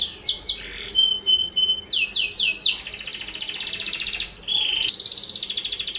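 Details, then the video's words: Canary singing vigorously, used as a lure to set other canaries singing: quick downward-swept notes and short pure whistles, then a run of bold sweeps breaking into a long, fast buzzy roll and a lower trill. "PANCINGAN AMPUH Suara Kenari Gacor"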